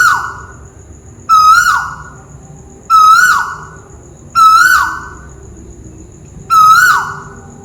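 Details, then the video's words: Malaysian tuwu bird (scops owl) sounding from overhead, giving a steady series of five loud hollow whistled hoots, each rising briefly before dropping, roughly one and a half seconds apart. "Burung tuwu malaisia lagi bunyi diatas"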